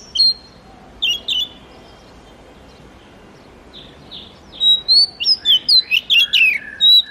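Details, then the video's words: Oriental magpie-robin, known locally as murai kampung or kacer, singing: a few isolated sweet whistled notes early on, then a quickening series of bright, sliding high whistles and chirps near the end, over a faint steady hiss. "suara murai kampung/ kacer"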